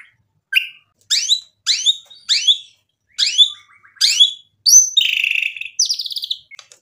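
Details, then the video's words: White-rumped shama phrases aimed at provoking a rival's reply: spaced, sharp descending sweeps repeated about every half second, followed by a harsher buzzy rattle near the end. "MURAI BATU GACOR memancing EMOSI lawan jadi NYAUT GACOR"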